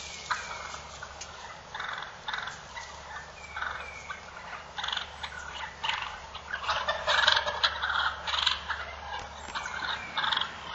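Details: Wild turkey toms fighting, a steady stream of raspy, purring and gobbling-type calls that grows busier and louder toward the end, with faint low hum behind.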